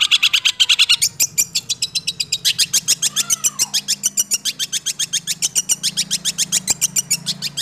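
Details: A six-month-old captive Long-tailed Shrike (cendet) sings a fast, rolling song: a rapid string of harsh, high, ticking notes, about six a second, with a brief whistled slur midway over a faint low hum.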